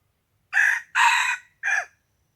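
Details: Rooster crowing, recorded on 27 February 2020: a loud, harsh three-part crow, two long buzzy phrases followed by a shorter clipped ending, over a quiet background.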